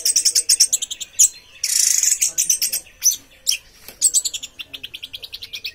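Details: Orange-headed thrush singing a fast, dense run of high chirps and sharp trilled notes in quick repeated bursts, with a brief harsh buzzy rush near the middle, then more rapid clipped phrases.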